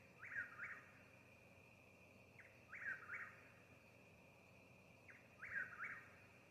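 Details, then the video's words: Eastern whip-poor-will singing outside in a yard in Mississippi: three-part whistled phrases, each with a short note, a slurred middle and a rising end, repeated about every two and a half seconds over a steady high insect drone. "The sound of the whipper will"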